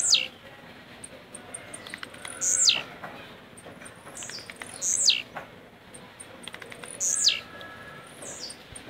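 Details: Blue-black grassquit kept caged in Jacarepaguá, Rio de Janeiro, Brazil, singing rojão: four high buzzy descending notes about every two and a half seconds, each followed by a fainter slur, with light ticking between.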